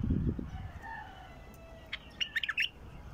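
A bulbul gives a short burst of bright, liquid chirps and warbled notes near the end, after a low rumble of handling noise and faint background whistles.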